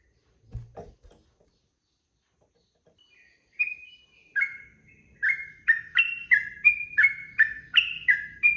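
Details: Sooty-headed bulbul 'ropel' song meant for training cage birds: after a soft knock and a few seconds of near silence, scattered whistles build into a rapid, regular series of chirpy two-pitched notes.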